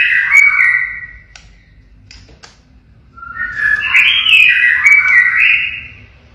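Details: Active caged blorok white-rumped shama delivering siren-style song: loud wavering whistles, a quieter gap with clicks, then a second long warbling whistled run.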